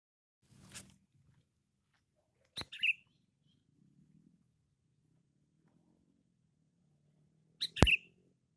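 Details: Sooty-headed bulbul of the cengkram type, described as loud and constantly singing, gives two short bubbling whistled phrases about five seconds apart, each a quick rising-falling flourish, after an opening click, with faint low rumbling behind.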